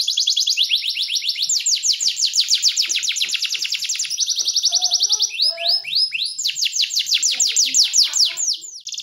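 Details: Master song of a white-rumped shama for tutoring songbirds, tight and rough in style: long runs of quick descending whistled strokes repeated many times a second, broken by short lower notes, continuing steadily throughout.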